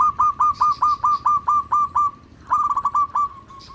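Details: Zebra dove of a local strain, recorded as a lure for other zebra doves, giving rapid, evenly spaced mellow cooing notes, about eight in a row, then a short pause and a quicker stuttering burst of similar notes.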